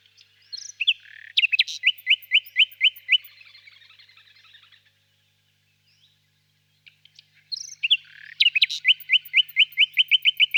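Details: Two song phrases from a common nightingale, each opening with a jumbled flourish and running into a steady series of loud, identical notes at about four per second, separated by a few seconds of silence.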